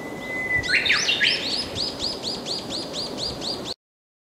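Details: Young Japanese bush warbler not yet able to sing properly, giving an odd 'ho, hokehoke, hoi' song: a long steady whistle, then a few rising slurred notes, then a fast run of arched notes at about four per second.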